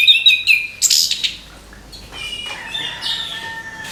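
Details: Morning song of an orange-headed thrush: a quick cluster of bright whistles and sharp high notes, then softer, lower warbling phrases fading toward the end.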